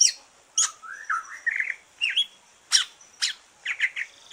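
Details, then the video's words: Green leafbird after moulting, song played to stimulate other birds: a wavering rising whistle, then scattered sharp chirps and short slurred notes with brief pauses between them. "Kicau santai cucak ijo,,rangsangan cucak ijo selesai nyulam"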